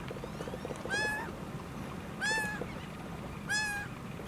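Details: Laughing gull with one leg, recorded in America, keeps calling: three loud nasal, slightly arched mews about every 1.3 seconds, against a low steady rumble.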